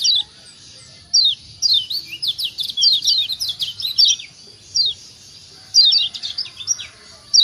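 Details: Kecial kuning white-eye of Lombok, used to stimulate lazy birds to sing: a brief pause, then a dense run of high, thin falling chirps, another pause, and a final busy cluster of tweets.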